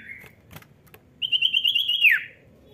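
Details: Cipow (common iora) giving gacor ngetroll song to stir lazy birds into voice: soft clicks and a faint note, then a roughly one-second wavering trill that ends in a steep downward slur.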